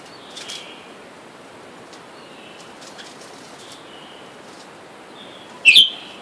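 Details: Red-whiskered bulbuls, a caged wild pair that take turns chasing and fighting, with wild birds outside calling for a mate: faint scattered whistled notes, then one loud sudden double chirp near the end.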